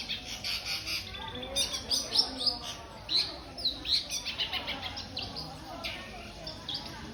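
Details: Long-tailed shrike (cendet) singing a harsh, scratchy, rapid chatter of high rasping bursts, mixed with brief thin whistled notes, over a steady background hiss.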